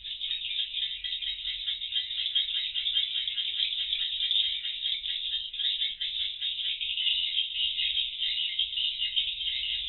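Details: Swiftlet flock circling in the void room of a bird house, CCTV monitoring before roosting: an unbroken, rattling high-pitched chorus of twitters lasting throughout, steady in volume.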